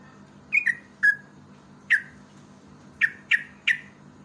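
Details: Yellow-vented bulbul sound for luring other birds to sing: a sparse series of seven short, sharp, slurred whistled notes, some paired, spaced irregularly over four seconds, soft hum behind.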